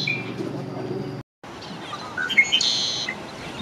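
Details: Male red-winged blackbird at Green Cay Wetlands, Boynton Beach, Florida, in mid April, gives a few short clicks and notes, then a bright, buzzy trill near the end, over steady wind or rumbling background noise.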